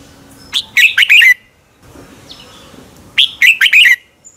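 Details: Two bursts of red-whiskered bulbul contest song recorded as a morning training lure: each phrase a fast, rolling series of four or five rich, bubbling whistles, about two and a half seconds apart.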